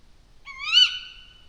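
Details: A single drawn-out owl cry at night in a mountain forest, near a full moon: nasal and harmonic-rich, holding steady then swelling briefly before fading, about a second long, with only faint background hum.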